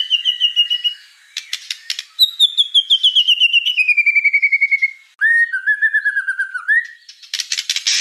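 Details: For training young spotted white-rumped shamas: a long falling whistled trill, clicking rattles, a low wavering whistle, and a burst of harsh noisy notes at the end.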